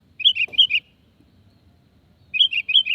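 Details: Sooty-headed bulbul calls used as a lure to make other birds answer: two bubbly phrases of about five quick, bright, slurred notes each, roughly two seconds apart, over a faint low rumble.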